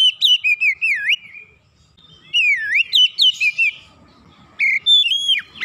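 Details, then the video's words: Oriental magpie-robin (kacer) that had stopped singing and, after one lure sound, sings eagerly in gacor style. Loud whistled phrases with dipping, swooping notes in bursts, separated by a short quiet gap. "Kacer macet bunyi sekali pancing langsung semangat bunyi gacor"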